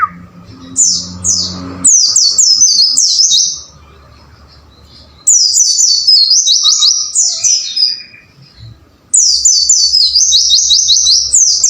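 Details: White-eye song used as a training recording for caged birds: rapid series of high, thin, downslurred chirps in bursts several seconds long, with short quiet gaps between bursts and faint low hum underneath.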